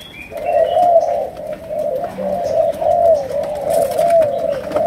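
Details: Malaysian spotted dove singing sấm đồng style. A continuous string of mellow, slightly trilled coos rises and falls gently for several seconds. Faint high chirps from other birds sound at the start.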